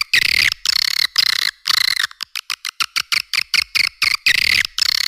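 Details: Edible-nest swiftlet lure call: buzzy twitter bursts, then a run of evenly spaced ticking clicks about four per second, before the chattering returns.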